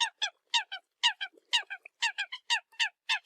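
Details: Eurasian coot decoy calls: loud, bright, nasal double notes repeated about twice a second, each pair a strong note followed by a softer one.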